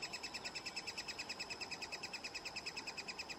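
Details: Three-toed woodpecker at its nest in Oslo, June 2018: a steady stream of high, thin chittering notes, about six per second, evenly spaced and unbroken throughout, with only a faint low background hum.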